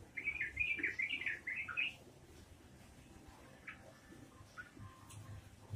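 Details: Trucukan song, the yellow-vented bulbul's fast ropelan style: a rolling chain of warbled, slurred notes for about two seconds, then a few soft chips against a faint background hum.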